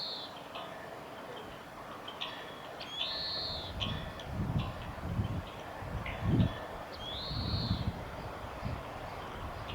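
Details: Oriental greenfinch singing in a nature observation garden at a nature conservation centre on 9 April 2022: a few short chips, then two drawn-out nasal buzzy notes that rise and level off, over a steady low rumble.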